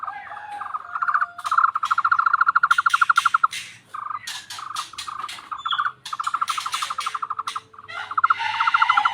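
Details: Tohtor bird giving its frog-like call: repeated runs of fast, rattling mid-pitched pulses separated by short breaks, accompanied by crisp clicking bursts throughout.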